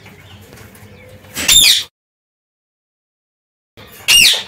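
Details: Parakeets that escaped their cage and spent a day free outdoors: after a quiet stretch, a loud harsh squawk, then a pause and a second grating screech near the end.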